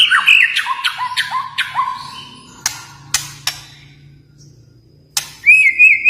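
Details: White-rumped shama from Kalimantan singing a repeated series of down-slurred whistles, then several sharp clicks or knocks over a low hum, ending with a bright rising whistle.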